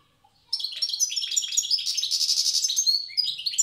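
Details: Wild goldfinch of Tiaret performing the old-style song: a sustained, dense stream of tinkling twitters, buzzy trills and whistled slurs beginning after a short pause.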